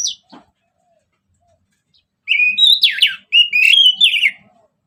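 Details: Orange-headed thrush singing in ngeplong style as a lure: one sharp high note, a quiet pause, then a sustained stream of loud, fluty whistles and slurred notes wavering in pitch.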